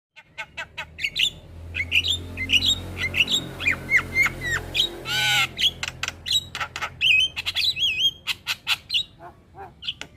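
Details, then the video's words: Black-winged myna song used as a masteran for training young mynas to sing: dense run of harsh squawks, clicks and whistled notes, some wavering, with a low hum underneath. "Jalak Kebo Gacor Masteran Bikin Burung Jalak Muda Jadi Pintar Berkicau"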